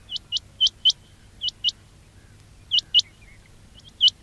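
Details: Quail calling to lure birds for trapping: fairly faint pairs of sharp rising notes about a quarter-second apart, with pauses between pairs, over low background hum.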